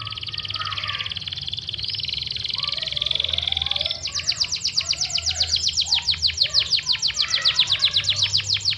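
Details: Yorkshire canary in steady, long song, used to prompt and train competition birds: warbling rising phrases give way to a fast, even trill of sharp high notes repeated rapidly, over a low constant hum.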